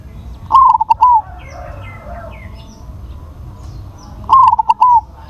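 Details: Crossbred zebra dove with a large voice giving two cooing phrases about four seconds apart, each a burst of rapid clipped notes ending in a sustained falling coo; faint chirps from other birds in between.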